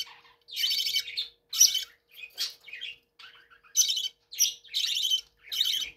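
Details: Budgerigars kept in a room chatter with buzzy squawks mixed with brief whistled and warbling notes, irregular in rhythm.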